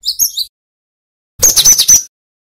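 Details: Female cinereous tit calls used as a lure to provoke males to answer: a few thin high notes, a pause, then a burst of four or five harsh, buzzy chattering notes.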